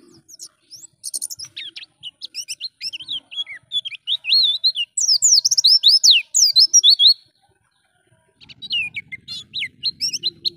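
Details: Training recording of an Oriental white-eye in ngalas style: scattered high chirps grow into a fast, intense burst of rising and falling sweeps, a second of silence, then renewed twittering with low hum.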